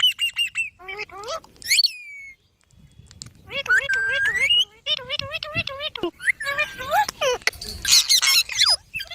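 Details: Young green parrot chirps in long runs of rapid, wavering, nasal notes, with a higher rising squeal partway through and some sharp clicks between phrases.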